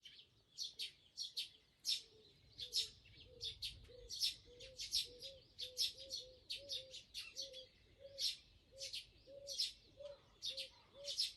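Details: Northern boobook, probably a pair, calling back and forth close by at 4:17 am on 14 May 2023 in an overgrown garden in Japan: soft low hoots in doublets, repeated steadily like a round, under louder high chirping from other birds.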